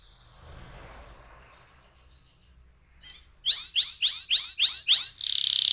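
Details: Canary song used as a lure for rolling song: after faint scattered high notes, a loud run of six repeated downward-sweeping whistles, then the start of a fast buzzy trill.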